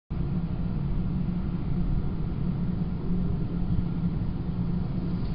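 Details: Deep continuous rumble like wind or traffic fills the recording, starting abruptly and holding steady without any bird or animal voice.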